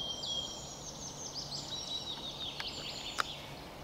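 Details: Wood warbler (Phylloscopus sibilatrix), 22 May 2023, in Finland, often singing in flight, gives a thin, very high trilling shiver mixed with drawn-out whistled tones, fairly faint over steady hiss, with two sharp clicks near the end.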